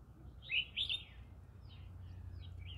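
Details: Green-cheeked conure living in the middle of a rice field, giving two loud harsh chirps near the start, then softer scratchy notes over a steady low hum.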